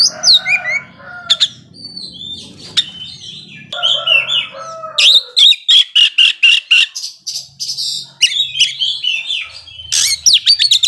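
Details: Oriental magpie-robin song used to trigger aggression in slow-reacting birds: varied whistles and slurred phrases, then a long stretch of rapid repeated harsh chattering bursts, ending in sweeping whistles.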